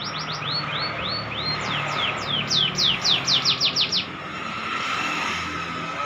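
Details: Canary practising the ngeplong song, a run of descending whistled notes followed by quick rising-falling sweeps in a rapid burst, then fading to steady background hum.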